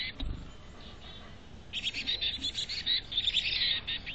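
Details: At a North Vancouver nest box, a chickadee's high chirping begins after a quiet start and a single low knock, then builds into fast, overlapping bursts of thin notes.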